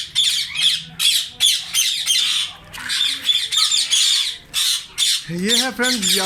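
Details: In a ringneck colony in summer, rose-ringed parakeets give harsh, high, screeching squawks in quick overlapping bursts from several birds, and a human voice is heard near the end.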